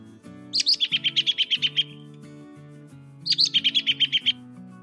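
An American Robin gives two rapid bursts of about ten sharp, high notes, each opening on a slightly higher note, over soft, low background music.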